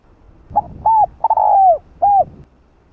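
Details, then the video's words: One phrase from a spotted dove calling a female, used as a lure: a short note, a rounded coo, a long gently falling croon and an ending coo, mellow and low-pitched. "Cu gáy GÁY GỌI 1 HẬU kích bổi nhanh nổi"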